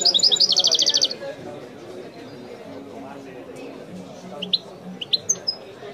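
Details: European goldfinch in the authentic Widani style gives one short, fast metallic trill, then a few scattered high chirps, over a steady background of people talking.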